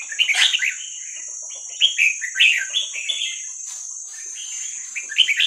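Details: Young wild red-whiskered bulbul of Vietnamese stock, used as training audio for young birds, gives bright chirped and warbled phrases in short bursts separated by brief pauses, over a constant high-pitched hiss.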